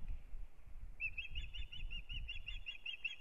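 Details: At a Latvian nest in Kurzeme, April 2022, start of the breeding season: an Osprey gives a quick, regular string of bright, slightly downslurred whistles after a moment of soft background rumble.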